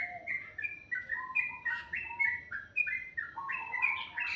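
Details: Bird song heard in the morning, a lively stream of sweet whistled notes hopping between pitches, some rising, some falling, delivered quickly and clearly with little background noise.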